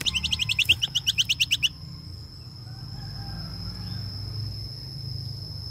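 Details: Greater racket-tailed drongo, a bird with long tail streamers, singing to call the flock. A fast run of about fourteen sharp, bright chipping notes lasts under two seconds, then steady low hum and hiss continue.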